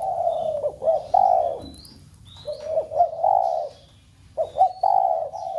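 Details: Spotted dove giving a stimulating coo to set captive doves calling: deep, rolling coos in three phrases, each opening with quick looped notes, over soft high-pitched bird whistles.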